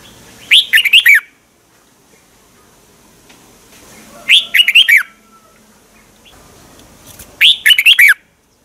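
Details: Thai red-whiskered bulbul song used to rouse caged birds: three bright, bubbly phrases of about five quick slurred notes each, repeated roughly every three seconds with quiet pauses between.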